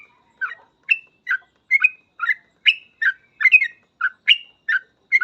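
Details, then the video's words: Yellow-vented bulbul in lively 'ropel' song, delivering short clear chirping notes about every half second, each note a mix of high and low parts, steady and unbroken to the end. "Suara trucukan gacor full ropel"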